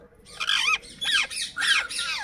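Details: Pet parrot speaking different words: four raspy, speech-like squawked syllables with rising and falling inflection, each under half a second, spaced about half a second apart.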